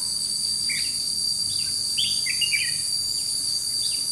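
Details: Red-whiskered bulbul serving as a trapping decoy on 21 July 2016, delivering a run of rich, quick warbled notes and short rising chirps against a continuous shrill insect chorus.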